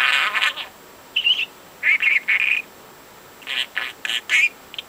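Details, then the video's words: Young budgie, four months old, a pet that talks nonstop and mimics overheard conversations; short bursts of scratchy chatter and warbles separated by brief pauses, with a thin buzzy note in between. "The Most Talkative Bird"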